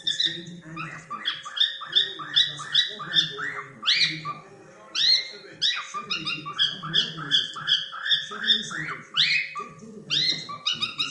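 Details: A cockatiel calls steadily during play, a busy run of short, buzzy, harmonic chirps with occasional louder upward-sweeping screeches and two short breaks, backed by quiet low murmuring and a faint hum.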